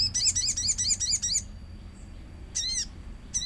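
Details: Lure song of a common iora, used to prompt another bird to answer, with nature sounds: a fast run of rapid squeaky chirps, then a pause and two more short sweeping bursts.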